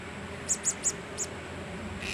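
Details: A single blue-crowned hanging parrot, recorded 26 October 2017, gives four very high, thin, sharp chips in quick succession, then a pause, with a steady background hiss and a soft rustle at the end.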